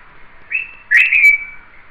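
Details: Red-vented bulbul calling once: a short clear note followed by a longer, fuller slurred phrase that trails off, with light steady hiss behind.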